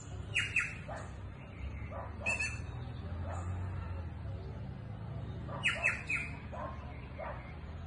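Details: Green jays (Inca jays) in the countryside give harsh, rasping calls in short clusters, a few seconds apart, over a steady low rumble of background noise.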